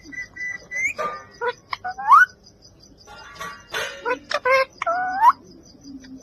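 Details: Pet-style talking parrot giving garbled, voice-like phrases with rising whistled notes and rough, broadband squawky syllables, several separate bursts with short pauses between.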